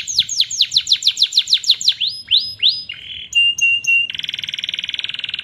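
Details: Lively canary singing used as a master track for canaries that stopped singing: a rapid sequence of descending whistled notes, several slower swoops, a held pure tone, then a dense buzzy trill.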